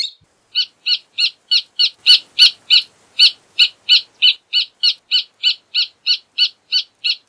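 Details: A long, steady series of about twenty loud, sharp, high notes from a rufous hornero, evenly spaced about three per second.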